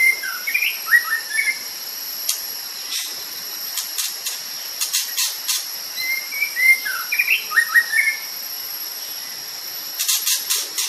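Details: White-rumped shama from Sumatra singing in a natural setting: short bursts of clear slurred whistles, rising and falling, in two phrases several seconds apart, over a steady high-pitched hiss and repeated sharp hissing bursts.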